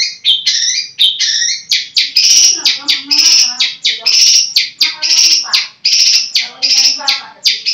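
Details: Long-tailed shrike kept as a songbird, singing a fast varied medley of sharp chirps, clicks and buzzy notes, dense and rapidly repeated, with faint lower warbled elements underneath.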